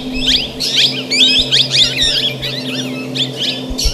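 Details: Plum-headed parakeet calls in a busy run of high, twisting chirps and slurred whistles that overlap almost continuously, fast and irregular, over a constant low electrical hum.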